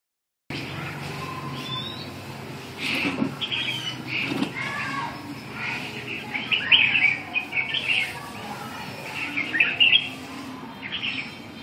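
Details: Red-whiskered bulbul recorded on an afternoon, 7 June 2012: after wing flutters and rustling, bright warbled phrases rise and fall in quick bursts through the second half, with a low background hum.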